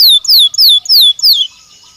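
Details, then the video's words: Belgian canary stimulus song: five loud downward-slurred whistled notes, evenly spaced about three per second, then quiet. "Som de estímulo que faz o canário belga responder com voz mais clara"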